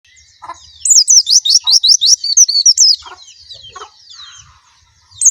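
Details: White-eye song: a fast run of high, sweet, slurred whistled notes falling and rising, about a dozen in quick succession, then quieter twittering with faint low clicks.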